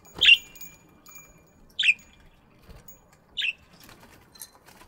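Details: Single chirps from budgerigars in an aviary in the morning, three short harsh notes spaced about one and a half seconds apart against near silence.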